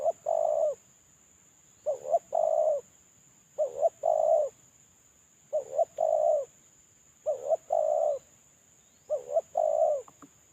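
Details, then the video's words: Moulting lure spotted dove calling persistently: five phrases of two brief coos and a drawn-out throaty note, about one every two seconds, with a thin electrical whine in background. "Suara terkukur suara pancingan terkukur"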